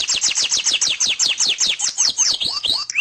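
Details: Canary singing loudly: a rapid run of high downward-slurred whistles repeated about four times a second, turning into slower looping rising-and-falling notes toward the end, clear and continuous.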